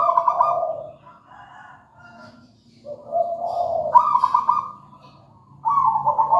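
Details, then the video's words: Zebra dove of local wild stock in steady song, giving rolling trilled coos that alternate between higher and lower pitch, with phrases separated by short quiet gaps. "Suara merdu perkutut lokal alam gacor"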